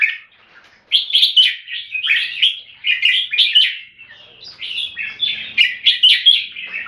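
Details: Red-whiskered bulbul raised in Singapore, singing clear keke phrases: after a quiet start, a fast run of bright warbled whistles that rise and fall, nearly continuous, with brief gaps between bursts.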